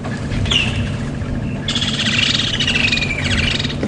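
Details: Woodland kingfisher that just landed nearby on a summer morning safari drive at Djuma Game Reserve, 26 January 2016: one sharp high note, then a long, fast trill descending over about two seconds, over a low engine rumble.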